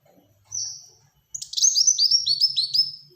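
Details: ['Black-throated sunbird singing prolifically in tight rapid bursts, used as a lure and tutor for other birds: a thin high whistled note, then a fast run of sharp descending high-pitched notes repeated several times a second.']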